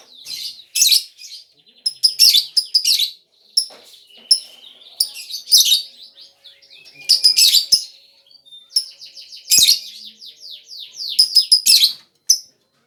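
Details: Lovebird chattering used as a lure to draw other birds: dense runs of piercing, high squeaky chirps and rapid trills in bursts, broken by short pauses.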